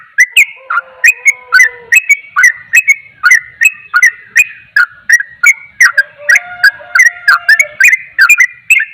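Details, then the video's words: Sooty-headed bulbul pouring out a rapid ropel song that agitates other bulbuls; a long, continuous chain of clipped whistles and chattering notes, with faint lower drawn-out tones heard in the background twice. "Trucukan ropel, trucukan lain akan emosi dengar suara trucukan ini"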